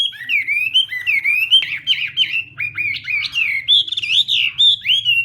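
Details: Chinese hwamei singing in a contest during morning voice practice, delivering an unbroken, lively string of looping, slurred whistles, with a few harsher, buzzier notes mixed into the middle of the phrase.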